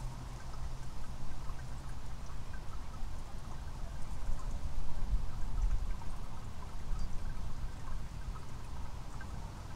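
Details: Steady rushing, pouring noise like running water or rain, concentrated in a deep low rumble, with no animal calls heard.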